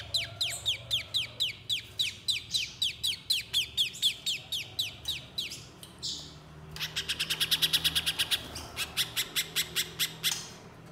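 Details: Little spiderhunter recording meant to get other spiderhunters singing: a long run of high, downward-sliding whistled notes, a short gap, then an accelerating burst of rapid sharp chips and spaced high notes.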